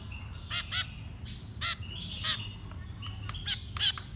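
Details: Young birds being fed: a handful of loud, hoarse squawks in short pairs, separated by quieter chirps and thin whistled notes.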